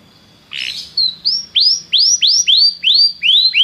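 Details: Belgian canary singing, used to warm up other canaries: a harsh buzzy note, then a series of loud, clear, downward-sweeping whistled syllables repeated about three times per second.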